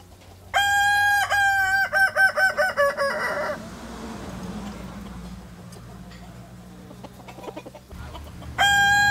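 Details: Kokok Balenggek rooster, a native singer chicken breed of West Sumatra kept at a restaurant, giving a loud tiered crow of about eight stepped, harmonic syllables over three seconds, then quieter background murmur before another crow begins at the end.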